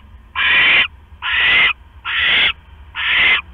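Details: Owl at its nest on October 5, 2015, at 11:21 PM, as the male brings a rat and the female eats it before settling back on her eggs; four harsh, raspy half-second calls, about one per second.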